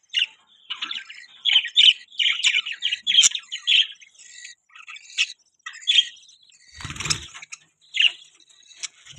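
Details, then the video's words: Pet budgerigars giving clipped chirps and short warbled phrases in separate bursts, with a brief loud rustle or knock near the seventh second. "Beautiful Budgies Chirping Sound, Budgies Beautiful Voice, Budgie Sound"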